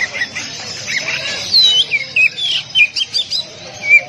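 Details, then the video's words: Oriental magpie-robin training song of the 'tembakan rapat' type used to tutor caged birds: soft chattering background broken by bright, clear whistles that slide downward, delivered in quick, uneven bursts. "Masteran Kacer Tembakan Rapat"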